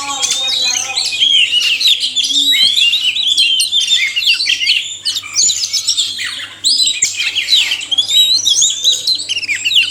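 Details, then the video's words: Oriental magpie-robins, male and female, in a long chorus for caged bird therapy: a rich stream of whistles, harsh chatter and curling up-sweeps, with brief dips in volume, over a constant low electrical hum. "suara kacer/sekoci jantan dan betina merangsang bunyi"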